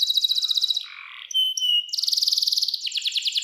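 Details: Clear 'cengkok mewah' canary song serving as a master for young canaries: a fast high trill, a softer low chatter, pure steady whistled tones, then renewed rapid trills.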